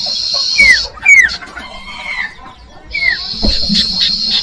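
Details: Common iora song to lure young birds: an opening buzzy trill, three downslurred whistles, a long soft falling note, then the buzzy trill resumes with short ticks.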